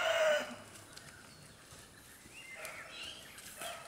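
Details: Chicken (Gallus gallus domesticus), crowing.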